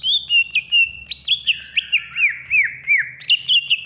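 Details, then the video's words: Cucak ijo singing loudly in captivity, a song for training birds in the morning or evening: fast high whistles and slurred, downward-bending notes tumbling together in a continuous, lively phrase. "SUARA BURUNG - Masteran Terbaik Cucak Ijo"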